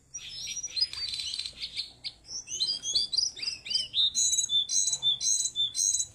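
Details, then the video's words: Tame caged Siberian blue robin in full song; high jumbled twitters open, followed by clear whistled notes and rising slurred phrases repeated about twice a second, ending in high sharp doubled notes. "cingcoang gacor jinak"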